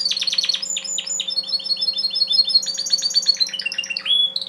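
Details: Song of a bred male Timbrado canary: fast rolling trills and repeated high metallic notes flowing without a break, ending in a clear sustained whistle, over a faint constant hum.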